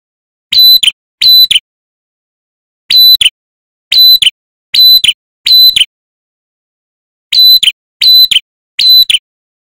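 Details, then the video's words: A wild-caught male ashy tailorbird, recorded as lure audio to provoke other birds to answer, sings loud, sharp, high whistled notes in quick bursts of two to four, with pauses of a second or more between bursts. "Suara Pancingan Prenjak Kepala Merah Jantan"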